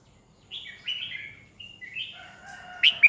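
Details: Caged Red-whiskered bulbul used as a decoy bird, singing to provoke rivals during training: short slurred whistled phrases around mid-high pitch, a pause, then further warbled notes ending in two sharp bright chips.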